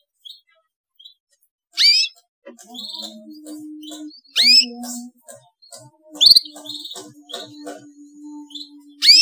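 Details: Young canary giving loud upward-swept chirps roughly every two seconds, with quiet ticking notes and a low humming tone between them, played to get silent canaries singing.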